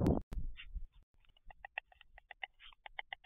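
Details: Bill-clattering of a white stork, 11 June 2023: after a loud low thump, rapid hard clacks follow in quick succession, slightly uneven in spacing, over faint low background rumble.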